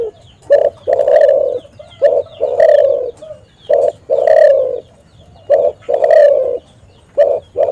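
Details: Spotted dove call for luring and trapping wild doves: a steady string of loud, harsh coos. Short notes alternate with longer drawn ones, about every second, with little pause between phrases.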